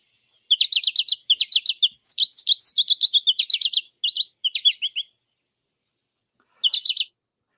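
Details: An American Goldfinch sings in spring, a lively, high twittering run of quick chirps and buzzy notes in rapid bursts, pausing briefly, then one final short burst.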